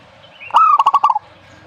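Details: Single zebra dove phrase: a sharp upward note followed by a quick string of five or six bubbling, evenly pitched pulses, lasting well under a second.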